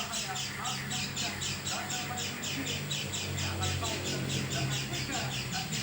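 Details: Unusual calling from an oriental white-eye, rapid grating high notes repeated in a steady stream, with a low droning hum and faint background noise underneath.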